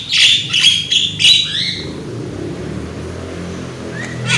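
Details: Young loud Javan myna, lure song: four quick harsh squawks ending in a rising whistle, then a quieter pause with a faint low hum and a brief rising note at the end.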